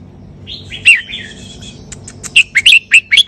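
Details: Red-whiskered bulbul singing sai ble style, starting with soft warbled whistles and one sharp note, then a fast series of loud, ringing chirps.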